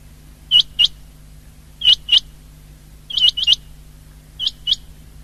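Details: Common quail calling, recorded 19 February 2024: sharp liquid paired notes, each pair a quick double 'whit-wit', repeated in spaced bursts about every second, one burst tripled, over a faint steady low hum.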